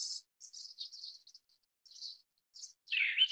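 Grey-backed Thrush giving thin, high, hissing calls in short bursts, ending with a fuller, lower rasping note.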